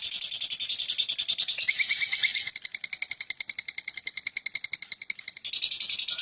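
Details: A lovebird keeps up a long ngekek chatter: dense buzzy rattling, then a stretch of fast, regular, metallic chips, and then the loud buzz returns.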